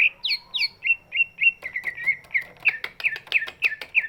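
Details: Large greater green leafbird whose voice is meant to coax silent birds into song; downslurred whistles, then a steady series of bright chirping notes, roughly three per second.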